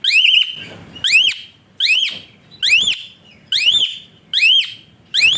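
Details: Whistling song of an Asian pied starling, used as a tutor for other songbirds: sharp upward-sweeping whistles with a bent, arching top, repeated steadily about every 0.8 seconds.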